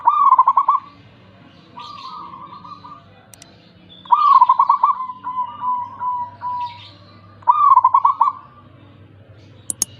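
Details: Wild local zebra dove song, offered as a lure to prompt quiet doves to sing: three bursts of clear, trilled cooing phrases near one pitch, each a rapid stuttering run of notes, separated by short pauses, with faint low background hum.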